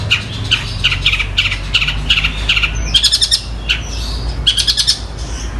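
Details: Long-tailed shrike in full song, imitating fighting sparrows (gereja) and the tengkek buto kingfisher: bright chirps repeated about twice a second, then a denser burst of high twittering notes, over a low steady hum.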